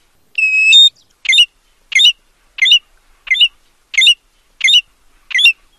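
American golden plover: a long, level whistle, then seven short, high, slurred whistled notes repeated steadily about every two-thirds of a second. No other sounds.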